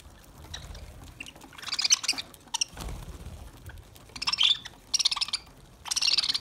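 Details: Lovebirds feeding on green food in summer give short, scratchy chirp bursts, one around the second mark and several more toward the end, with soft low rustles between them.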